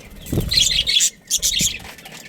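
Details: Breeding pair of budgerigars, pet Australian parrots: two clusters of rapid, gritty high chirps separated by a brief pause, with a light thump underneath.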